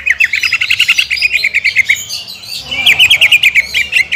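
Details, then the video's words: Lure recording of a greater green leafbird singing hard in 'nekan dan nembak' style to provoke other birds: a rapid rattling series of sharp repeated notes, a short gap, then another quick chirping burst. "PANCINGAN CUCAK IJO GACOR NEKAN DAN NEMBAK"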